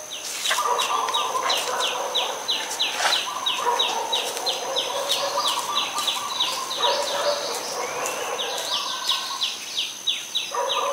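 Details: An adult Common Tailorbird in Ubon Ratchathani, Thailand, on 20 April 2022, repeats sharp, high, down-slurred notes about three times a second, with lower droning calls from other birds and a steady insect whine behind it.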